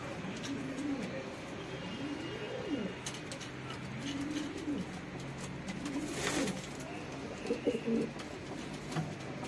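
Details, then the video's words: Pigeons during mating, giving low, soft rolling coos that rise and fall, repeated in several phrases over about ten seconds, with faint background rustling and a brief louder noise near the middle. "Pigeon Mating"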